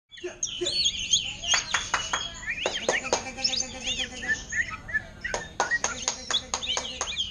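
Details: Caged greater green leafbird for sale, singing in the ngentrok style imitating an orange-headed thrush: rapid high whistled phrases and sweeps mixed with sharp clicks, with faint voices in the background.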